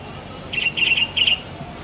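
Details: Black drongo giving three short, harsh, squawky notes in a quick, evenly spaced series, each lasting about a fifth of a second, against a quiet background.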